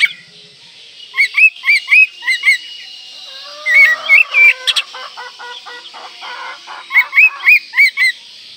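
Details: Oriental magpie-robin in breeding condition, provoking rivals: repeated looping whistled notes in pairs, a burst of rattling clicks mid-way, then the looping whistles return, over steady hiss.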